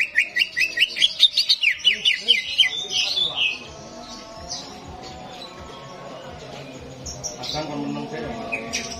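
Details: Greater green leafbird song in a simulated competition arena, used to rouse reluctant birds: a fast run of bright, high chirped notes, about two per second, for three seconds, then a hum of voices and crowd chatter with scattered distant chirps.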